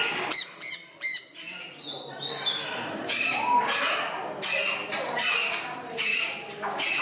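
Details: Parrots at an indoor parrot house in Gdańsk, Poland: three sharp, nasal squawks in quick succession, then a steady jumble of harsh chatter and screeches from several birds in an echoing room.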